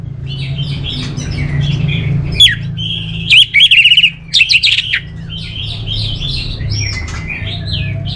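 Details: An orange-headed thrush gives a long medley of whistled and warbled phrases. Loud, sharp bursts around the middle give way to softer twittering, with a steady low drone underneath.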